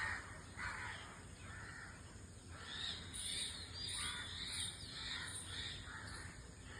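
A white-throated kingfisher gives harsh, rasping calls in short repeated bursts, nearly two per second, over a low rumble and a steady high insect-like hiss.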